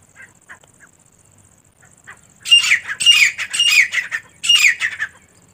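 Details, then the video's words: Partridge hen (teetar) calling: a few soft scattered notes, then a loud series of harsh, rasping squawks repeated quickly for about three seconds. "teetar ki awaaz & teetar female sound"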